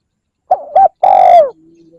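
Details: Spotted dove lure call, a single partial phrase: two short coos followed by a long, strong coo that falls at the end, then a faint low tone.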